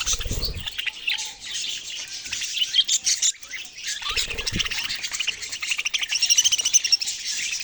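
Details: Several budgerigars chirping and warbling at once, with a steady high chatter of scratchy notes and a few brief low knocks.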